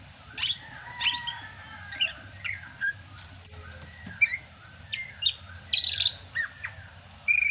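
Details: Sumatran greater green leafbird in rainy season delivering a sparse, varied song: short whistled slurs and sharp chip notes spaced about half a second apart, with brief scratchy bursts and a buzzy note at the end.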